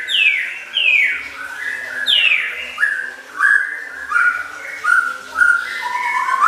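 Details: Contest-trained caged Oriental magpie-robin singing masteran isian phrases, with loud downward-sweeping whistles, then clear level and slurred notes repeated roughly every second, plus a faint background hum.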